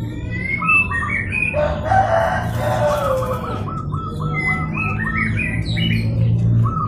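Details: Local zebra dove calling to provoke rivals into calling back. After noisy flutter and higher chirps early on, a long series of short clipped cooing notes follows in quick succession, over constant low hum and other birds chirping.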